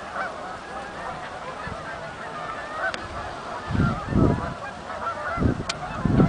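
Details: Canada geese coming in at a marsh, Oak Hammock Marsh and Fort Whyte; steady background honking from the flock, increasingly covered by loud low rumbles of wind or handling noise toward the end.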